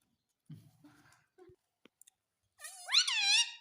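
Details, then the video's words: A pet parrot taught to say "mummy": soft human voice and a few clicks first, then a loud nasal harmonic phrase with a rising-falling sweep, indoors. "मम्मी बोलने वाला तोता _ Mummy Bolne Vala Tota _ Talking Parrot"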